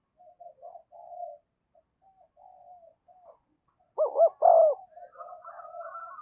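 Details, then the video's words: Decoy spotted dove calling to lure wild doves in. Soft, low murmured cooing notes come first, then a loud burst of rounded, arching coos, followed by quieter wavering notes. "Chim Cu Mồi Thúc Và Gáy Gọi Bổi Nhanh Về Cội"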